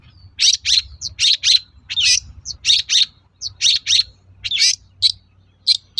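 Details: Long-tailed shrike singing, played as a lure to provoke other shrikes into answering: rapid chattering song of high scratchy double notes and short whistles, delivered in quick runs with brief gaps, loud and clear against quiet background.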